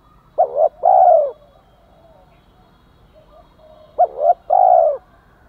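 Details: Spotted dove coos, male and female, played to stir a male into cooing: two phrases of short doubled notes followed by a drawn-out, slightly falling coo, separated by a long pause.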